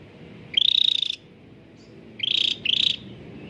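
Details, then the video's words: Singing cucak ranting bulbul, meant to coax hesitant caged birds into song: a long buzzy rattle that rises then holds steady, followed after a pause by two shorter rattling notes close together. "CUCAK RANTING GACOR SUARA JERNIH UNTUK PANCINGAN YANG SUSAH BUNYI || pancingan Cucak ranting"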